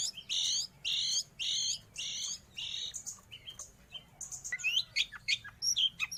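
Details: Long-tailed shrike (cendet, pentet) song used to tutor pet birds or attract wild ones: four drawn-out buzzy, rasping phrases about a second apart, then a quicker jumble of sharp chirps and thin whistles.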